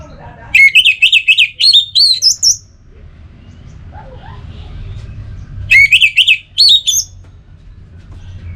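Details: Song of an Orange-headed thrush: varied, rich phrases of rising and falling whistles that end on higher notes, with two bursts about five seconds apart and a softer note in the quiet gap.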